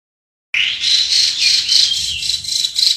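Chinese hwamei singing a rapid, loud run of high, clear whistled notes repeating about four times a second, with a faint hiss behind.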